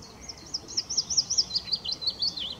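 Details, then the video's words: Willow warbler mixed singing at RSPB Middleton Lakes on 25 June 2023: a rapid run of high, thin sweet notes, gently slurred and loosely descending, over a quiet background hiss. "Mixed singing Willow Warbler"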